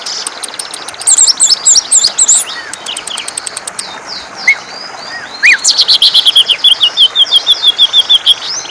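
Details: Greater green leafbird giving gacor ngentrok song, opening with fast clicking and squeaky high phrases, a short pause with single notes, then a long rapid repeated whistled trill of even beats.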